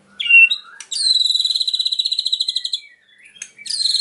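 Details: Murai batu (white-rumped shama) delivering cililin mimicry: a short whistled note, then a long, fast, regular buzzy trill lasting about two seconds, a brief pause, and the trill starting again.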